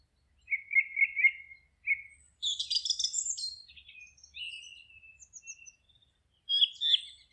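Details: Singing birds in a forest. Quick repeated trilled notes open the passage, then a dense high jumble of chirps and thin whistles, with a loud twitter returning at the end.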